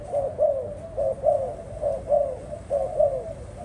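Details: A spotted dove coos in a low, mellow voice: paired and single rounded notes with small upward inflections, repeated at an even, unhurried pace of about one per second, with faint background hiss and no other birds.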